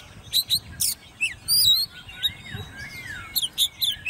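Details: Caged Oriental magpie-robin, hand-raised from a nestling and now ten months old, in competition singing: loud clear whistled notes, rising and falling slurs and sharp high chips in quick varied phrases over low background rumble.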